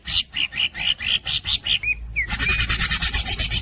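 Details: Greater green leafbird, known locally as cucak hijau, singing in the nonstop los dol gacor style: loud rasping pulses at a steady rhythm, two clear whistled slurs, then a rapid continuous buzzy rattle.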